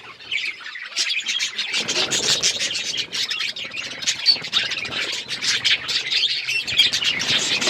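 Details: A group of budgies playing with each other, producing a continuous high-pitched chattering of chirps and scratchy squawks, many birds calling at once, with faint low background rumble.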